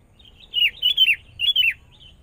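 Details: Young wild-caught sooty-headed bulbul during training. It gives a loud, bright, bubbly phrase of four slurred whistled notes, each dropping in pitch, over quiet background.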